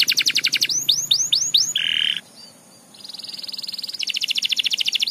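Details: Canary song: high rapid rattling trills, a run of rising upslurred whistles, a brief flat buzzy note, then a long steady fast trill.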